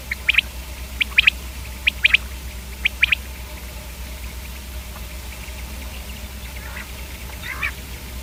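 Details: Softer, more distant-sounding common quail: short three-note groups repeated about once a second, then a faint rasping squawk near the end over a low background hum.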